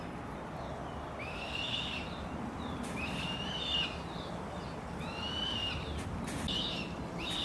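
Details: Black sparrowhawk family at dawn, adults teaching juveniles of 76 days to hunt; three drawn-out, slightly wavering squeals spaced about two seconds apart, with a soft low background hum.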